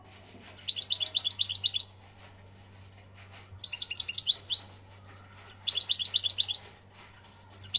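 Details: Algerian European goldfinch song in three bursts of rapid, tinkling high twitters, each about a second long, with a constant low hum behind.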